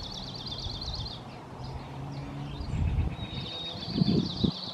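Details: A Dark-eyed Junco of the Oregon form sings a fast, even, high trill, then repeats it after a short pause, over a low rumble of wind or distant traffic.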